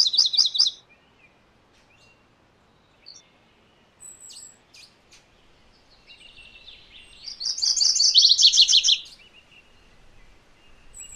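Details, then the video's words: MacGillivray's warbler song: a high buzzy phrase opens, then after quiet gaps a louder two-part burst of rapid chattering notes drops from a high series to a lower, slurred series, with faint chips between. "MacGillivray's Warbler Song ! MacGillivray's Warbler Sounds ! MacGillivray's Warbler Call"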